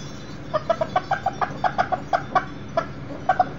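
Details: Indoor setting on 7/6/13 where a young Millefleur d'Uccle rooster visits a broody hen and chicks: steady train of soft, low, short clucks, roughly sixteen in three seconds.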